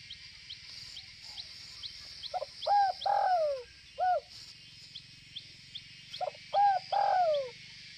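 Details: Spotted dove of Northwest Vietnam cooing: two phrases of low hooting notes that rise and slur downward, several in quick succession, with light ticking calls and soft hiss in the background.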